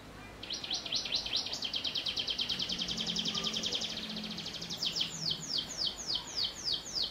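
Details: Canary singing with prenjak-style fill-in phrases, used as a tutor song for young canaries: a long, fast, even trill of bright high notes, then slower, louder downslurred notes spaced about four a second.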